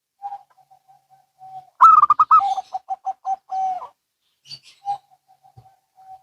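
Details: Local and Bangkok zebra doves calling in turn: scattered quiet single coos, then a loud fast stuttering burst flowing into a row of softer, regular coos, before quiet single coos return.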